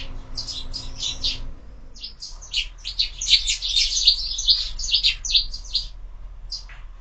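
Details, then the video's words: Several sparrows chirp at a window feeder in the morning, a quick burst of notes, a short pause, then a louder busy run of overlapping chirps and a few scattered final notes. "Воробьи в кормушке - утро"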